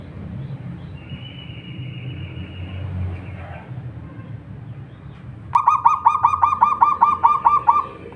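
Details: Wild local zebra dove, singing actively to lure others into song: after a faint, thin held tone, a sudden loud run of about twelve rapid, evenly spaced harmonic coo notes, roughly five per second, over low background noise.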